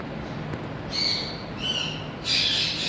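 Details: Indian ringneck parakeet, colourful and described as talking, utters three loud, rasping, layered squawks in under three seconds, each longer and harsher than the last.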